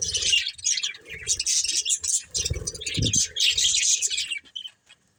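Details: Budgerigars of a household flock twitter in fast, raspy, overlapping chirps, accompanied by soft low thuds and rustles, fading out in the final second.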